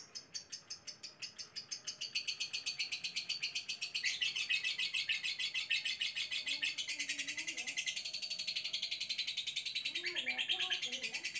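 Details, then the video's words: A caged lovebird meeting a new male in a separate cage gives a long, shrill, high chattering trill of three to four rapid pulses a second for over ten seconds; softer, lower chirps join near the end. "Ngekek Panjang Ketemu Pejantan Baru"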